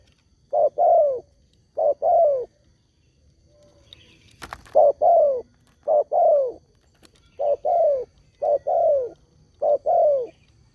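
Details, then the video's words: Spotted dove cooing meant to draw answers from other doves, short mellow notes in pairs and singles, repeated about once a second with uneven gaps and a faint click partway through. "SEMUA BURUNG TEKUKUR PASTI NYAUT DENGAN SUARA INI"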